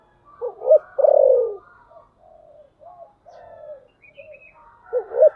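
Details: Spotted dove used as a decoy to lure wild doves, 'thổ sấm' voice style: two accented coos and a loud, long falling note, then softer low notes and another emphatic double coo at the end.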